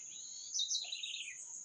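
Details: Single bird phrase: sharp high notes, then a fast trill sliding downward, heard against a loud unbroken insect drone.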